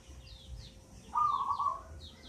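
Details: Young local zebra dove, eight months old, originally from a mango-tree nest, delivers a single short trilled cooing phrase, while thin high chirps of other birds sound in the background.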